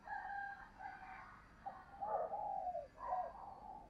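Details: Spotted dove calling: a faint series of soft, hollow coos in short phrases about a second apart, with a quiet background hiss throughout.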